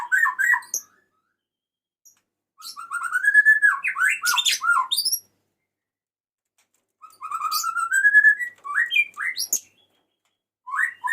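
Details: White-rumped shama male calling to the female: two long phrases of fluting whistles, slurs, and sharp chips, each lasting several seconds, separated by silence.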